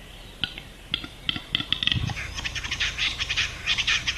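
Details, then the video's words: Lekking Western capercaillie; dry clicks at roughly half-second intervals, accelerating into a fast burst of wheezy scraping and grinding notes. "Глухарь на току. Capercaillie lekking."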